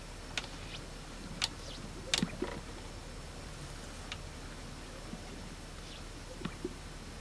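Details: Male Greater Sage-Grouse displaying on a traditional lek to attract females, making sounds with inflated air sacs while strutting: sharp swishing rustles, each followed by soft, low, hollow pops, repeated a few seconds apart over steady outdoor hiss.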